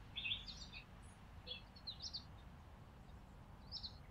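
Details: In December, chickadees feeding on a porch in winter give brief, high, thin chips and short twittering notes at irregular intervals over a low, steady background rumble.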